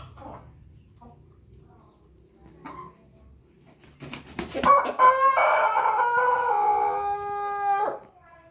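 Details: Pelung rooster: a few faint sounds and a burst of sharp clatter, then a long, loud, steady crow of about three seconds, ringing and harmonic, ending abruptly.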